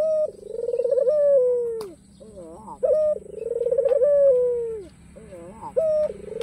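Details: White ringneck dove wearing a black collar coos repeatedly to invite rivals to call: a hoot, then a long, rolling, downward-sliding coo, repeated about every three seconds with rapid rising flutters between, plus a sharp click.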